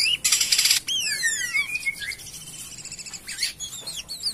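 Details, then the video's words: Jalak kapas myna in active song (gacor): a loud harsh burst, then long descending whistles and a sustained steady note, ending in soft chatter and a few high chirps. "Burung Jalak Kapas Gacor"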